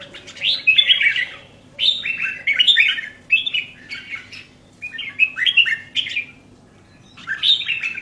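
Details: Kept red-whiskered bulbul singing clear, bouncy phrases of a few slurred whistled notes, spaced by short silent gaps, against a quiet background.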